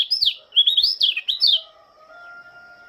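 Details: Morning song of a Lombok white-eye at dew time: a rapid, high, sweeping twitter of looping phrases for one and a half seconds, followed by a faint steady hum.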